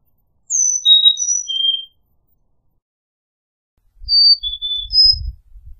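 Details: Carolina chickadee giving two whistled four-note songs, notes stepping high-low-high-low, with faint low rumbling noise under the second phrase.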